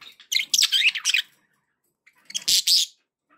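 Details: Happy budgerigar calls: two bursts of bright, scratchy chattering warbles, the second a short loud squawky phrase, in a quiet room.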